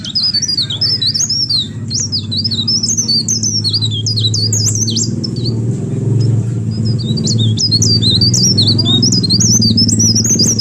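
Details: Lively leaf warbler song meant to provoke other birds: continuous high, thin chattering of quick zigzag notes, barely pausing, set against a loud constant low mechanical hum.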